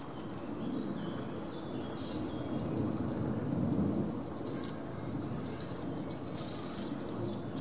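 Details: Long-tailed tit (Aegithalos caudatus) in Berlin, 12 May 2018, giving very high, thin see-see calls with a few short buzzy bursts, over a soft low rumble in the background.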